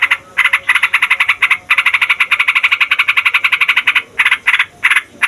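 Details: A yellow-vented bulbul, a fighter bird, gives a long, fast rolling chatter of bright, buzzy pulses, broken by brief pauses near the end. No other sounds.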